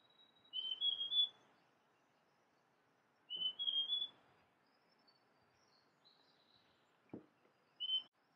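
Large niltava giving short, high whistled phrases of three or four rising notes, repeated every few seconds, with one soft thump in a quiet background.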